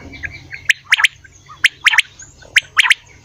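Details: Morning call of a quail, a run of crisp, short whistled notes grouped in twos and threes, each group rapid and sharp, separated by brief pauses, over faint background hum.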